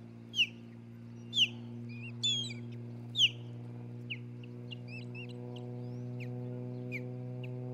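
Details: Osprey at a nest in Charlo, Montana, on a June nest camera: sharp, high, downslurred chirps about one second apart, then softer, scattered short notes, over a constant low electrical hum.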